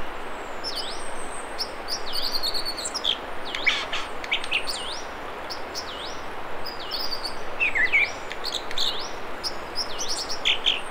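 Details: American dipper singing in the Mamquam River spawning channels near Squamish, British Columbia: a lively run of high looping whistles, sweeping down and up, mixed with sharp chips and short trills over a steady background hiss.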